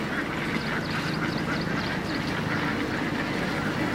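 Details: Hundreds of Indian ducks feeding in water, many nasal quacks repeating rapidly and overlapping into a busy flock chorus over a low background rumble.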